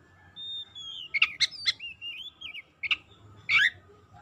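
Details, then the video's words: Oriental magpie-robin song used as a lure to prompt sluggish or silent magpie-robins into full singing: a long high whistle, then sharp broadband chips and a wavering warbled phrase, ending in a loud rough burst over faint low rumble. "PANCINGAN KACER LELET BISU | PASTI AKAN IKUT GACOR NGEPLONG GACOR"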